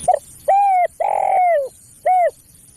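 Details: Spotted dove cooing as a lure for other doves: a clipped note, a clear coo, a long buzzy coo sliding down, then another clear coo, loud and close over quiet background.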